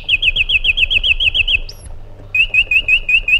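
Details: Iraqi bulbul delivering a rapid rolling series of looped whistled notes, a brief pause, then another even run of the same notes at a slightly lower pitch, with a quiet low hum.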